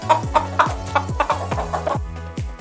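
A hen gives short, clipped clucks about every quarter second, over a steady background of music with a pulsing low beat.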